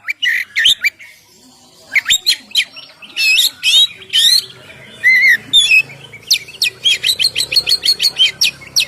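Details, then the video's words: Oriental magpie-robin singing ngeplong style, a recording for luring birds and making them sing; varied phrases of harsh buzzes and slurred whistles, building to a long, fast sequence of sharp repeated chips. "suara Kacer ngeplong"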